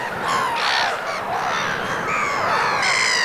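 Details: Winter-plumaged black-headed gulls at the Vilaine estuary in Morbihan, France, 22 February: a dense chorus of rasping, nasal cries overlapping continuously, with a grainy low rumble beneath.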